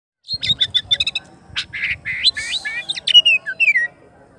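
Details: Caged oriental magpie-robin singing to call its rival: a rapid series of sharp ticking notes, then a varied run of loud whistled slurs and rising and falling phrases over faint background hum.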